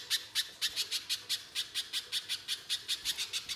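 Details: [7, 'Spaced, piercing high chip notes of a little spiderhunter, about four per second, from a harsh full song used to lure other spiderhunters into singing.']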